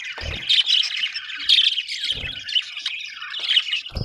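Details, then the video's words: Budgerigars, called happy, chatter in warbling, squawky bursts roughly once a second, with low thumps between them. "happy budgies chirping sound"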